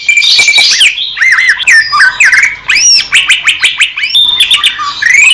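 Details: Song of the greater green leafbird, a clear master recording made in the Indonesian wild: dense, varied melody of arching whistled notes, buzzy trills and quick chattering, loud and nearly unbroken.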